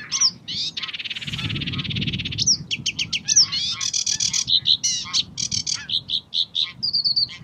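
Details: Sedge warbler song recorded in May 2016 at Uitkerkse Polder, Belgium: a fast, varied jumble of harsh chattering, buzzy trills and sweet whistled notes, with phrases changing every second or so.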